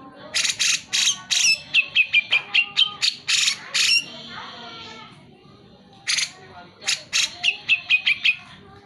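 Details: Cucak jenggot singing vigorously, meant to encourage reluctant birds; rapid series of harsh notes with whistled endings, a short pause with a held whistle, then another fast burst of rasping notes.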